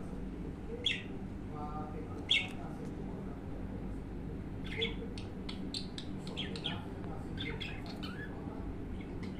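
A budgerigar gives two sharp, scratchy squawks, then a run of quick, varied chirps and warbles.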